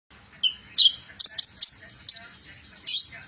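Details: Van Hasselt's sunbird with metallic plumage mutation, singing in trotol style: sparse, very high thin chirps and short sweeping notes, a few sharp bursts spaced irregularly over a quiet background.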